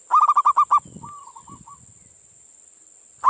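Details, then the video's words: Zebra dove singing in the manggung style, used as a lure to stir breeding urge in local doves: a quick burst of about eight bright, rapid cooing notes, then a few fainter notes, over a steady high-pitched hiss. "suara perkutut pancingan mental birahi"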